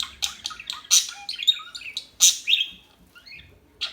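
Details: Small birds chirping rapidly with shrill peaks and a falling twittered phrase, then a brief lull before another sharp chirp.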